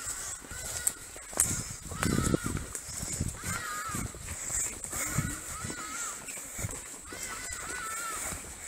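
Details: Ibis calling near a trekking group heading towards elephants at Mole; a series of short, wavering, slightly nasal calls repeated every second or so, with footsteps and low rumbling noise throughout.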